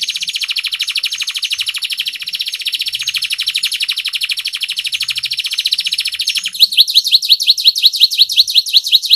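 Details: Canary singing to stimulate listless canaries: a long, steady, buzzy high trill that switches near the end to louder, sharper repeated chip-like notes.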